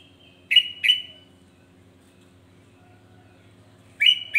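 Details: Sooty-headed bulbul provoking song: a pair of crisp rising whistles with lingering tails, a long quiet gap, then another pair of bright notes.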